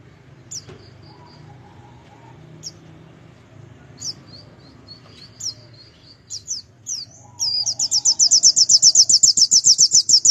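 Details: National white-eye, a contest bird for the G16 or G20 class, with an unusual voice said to rattle rivals: scattered thin high chirps and short whistles, then a fast, even, buzzy trill of rapidly repeated high notes in the last few seconds.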